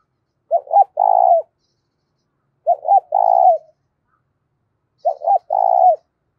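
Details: Spotted dove cooing loudly and cleanly, used to stir up decoy doves. Three identical low phrases about two seconds apart: two short clipped notes then a long, steady coo, with no other sounds.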